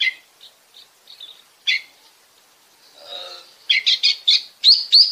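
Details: Oriental magpie-robin from Bekasi, song played to stimulate other birds into singing: scattered short chirps, then a soft blurred passage and a closing run of loud rapid notes ending in sharp whistled slurs.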